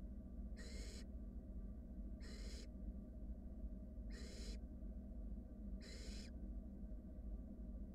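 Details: Wild barn owl nestlings in a nest box, a sibling swallowing a rat: four soft, even hissing snores, each about half a second, repeated roughly every two seconds over a steady low hum.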